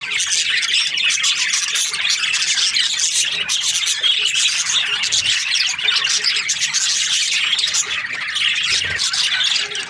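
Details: Budgerigars kept as breeding pairs: a dense, unbroken chorus of high chirps, squawks and warbling chatter from many birds at once, loud and steady for the whole ten seconds.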